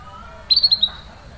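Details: Canary giving a quick burst of four high, sharp chirps of even pitch in a row, a 'cuit cuit' sound used to prompt a silent canary to sing again; faint background hum.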